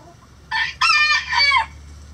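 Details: Cock-a-doodle-doo from a rooster kept with chickens in a coop, one crow of three loud, hoarse, harmonic segments: a short opening note, then a longer strained middle, then a falling final note, all within about a second.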